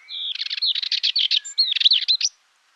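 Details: Song of a Dartford warbler, a fast scratchy warble of rapid chattering notes interspersed with thin whistled slurs, delivered as one continuous phrase of just over two seconds, loud and close against a quiet background.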